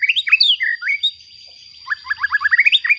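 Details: White-rumped shama, a murai batu, singing a bait song meant to provoke other shamas: rich varied whistled phrases with slurred rising and falling notes, then a quick run of repeated sharp chips, over a steady high electronic whine.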